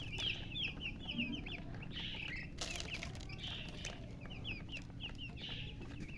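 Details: Loud chirping from newly hatched chicken chicks: clusters of sharp, high, descending peeps in quick runs, separated by brief gaps, with some rustling and soft thumps beneath.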